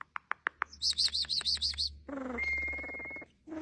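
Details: Starling in varied song. Dry clicks open it, followed by a quick string of high chirping notes. The song ends in a long buzzy rattle with a steady whistled tone running through it.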